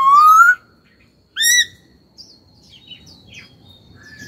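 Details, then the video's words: Caged laughingthrush gives a long, clear upward-gliding whistle, then a short bright downward note after a pause. Quieter scattered chirps follow over soft background noise. "Khướu hót cực hay, kích bổi hót ngay"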